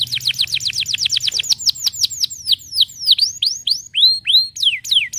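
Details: Caged canary of the 'pocong losdol' type singing loudly: a fast train of steeply falling whistled notes, then slower, separated swooping and rising notes, each repeated several times in turn.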